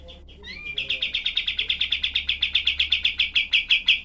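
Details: Cream-vented bulbul, called kapas tembak, in a tutor recording of harsh, tightly packed 'tembakan' shots. A few notes and a rising whistle give way to a long, steady volley of rasping chips, roughly six per second, that builds in loudness.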